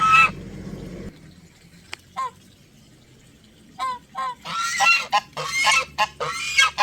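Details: Geese heard up close giving loud, resonant honks: one harmonic-rich call at the start, then scattered short nasal calls, building to a dense burst of overlapping repeated honks in the final seconds.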